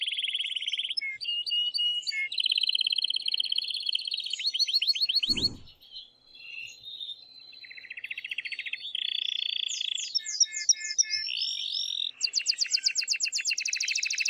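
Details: Excited male canary pouring out song to stimulate the female for mating; a long chain of changing rapid trills and rattles with a brief pause and a low thump midway, then higher trills resume.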